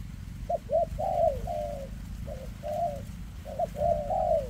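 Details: A spotted dove with a leg tremor gives 'kèm rước' cooing, short clipped notes alternating with longer level-then-falling coos in three quick phrases, with a low background drone.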